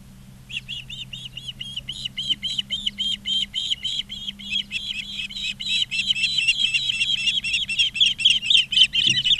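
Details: Ospreys at a nest in Charlo, Montana, on 20 August 2023 in the afternoon: a rapid run of sharp whistled chirps, about four per second, growing louder and denser toward the end, over a steady low electrical hum.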